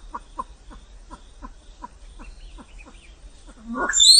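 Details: Regular soft clucks from a Vietnamese pheasant, about three per second, ending in a loud rasping burst that sweeps up into a high whistle.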